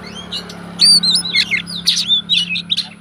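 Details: Fighter Oriental magpie-robin singing to provoke rival magpie-robins: quick run of whistled, twisting notes and scratchy chirps over a steady low hum.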